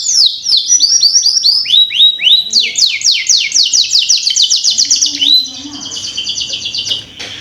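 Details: Canary lure song played to get juvenile canaries singing fast: rapid repeated downward-sweeping high notes forming a steady rolling trill, then a brief softer buzzy stretch at the end.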